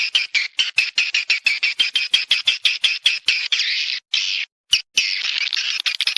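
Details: Chattering swiftlet calls played as a lure so the birds come to mate and nest: a steady run of rapid, buzzy, high twitters, pulsing about four times a second, with a brief break before resuming.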